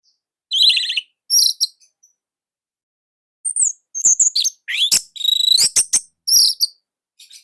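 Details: Indonesian orange-headed thrush, nonstop singer with a tight, loud style. Thin, very high chirps and ticks come in scattered bursts, mixed with a short buzzy phrase and crisp clicks.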